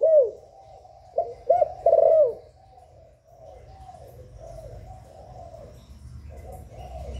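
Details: Spotted dove giving 'hạp bổi' style coos to excite newly kept doves. A soft coo is followed by two short rounded notes and a long descending coo. Quieter, repeated cooing continues over a low background hum.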